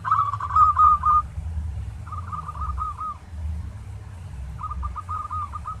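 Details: Zebra dove, local type, singing as a training master: a bright trilled cooing phrase followed by two softer rolling runs of repeated notes, separated by pauses, over a low rumble.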